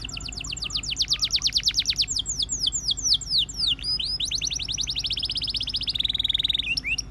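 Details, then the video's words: Russian canary in full song, with rapid falling whistled notes repeated several times a second, shifting into looping slurred phrases and closing with a steady high rolling trill. "The Russian Canary Invites All Canaries to Sing"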